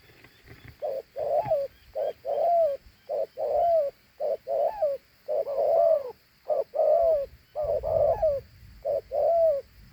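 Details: Big dove of the Thổ Hú style delivering its two-note coo over and over: rounded soft hoots spaced in pairs and triplets, with faint clicks and low rumble.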